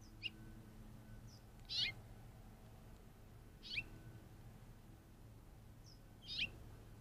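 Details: Curve-billed Thrasher calling off screen in the Arizona desert, caught on a trail cam while a young roadrunner was filmed. Sharp, high whistled chirps, three loud ones about two seconds apart with softer notes before, over a low steady hum.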